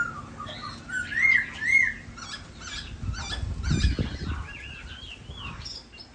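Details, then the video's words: Khướu da bò laughingthrush singing while dancing: two loud looping whistled notes, then softer quick warbled phrases, with low thumping knocks in the middle and a steady low hum underneath. "Khướu da bò hót múa đẹp"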